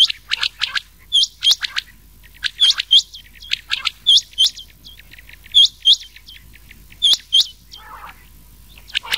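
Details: Rain quail call mixed with an old quail's voice, used as a lure for night-time rain quail hunting in summer; sharp, high, paired chirps come in quick bursts about every one to one and a half seconds.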